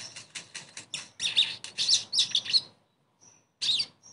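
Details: Sogon song recorded as a pick-me-up sound to restart a bird's singing: a steady series of quick, high, ticking notes that swells into loud, harsh chattering phrases, then a brief pause and one more burst.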